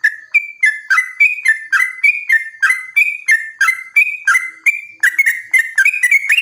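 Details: Yellow-vented bulbul song meant to make other bulbuls answer. Steady series of whistled notes, roughly three per second, stepping between a higher and a lower pitch. The notes grow denser and more overlapping at the close.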